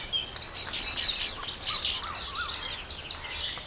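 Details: Baya weavers calling at a breeding colony: a dense overlapping chatter of high, thin chirps and short squeaky notes from several birds, with a few lower upslurred whistles and a steady background hiss.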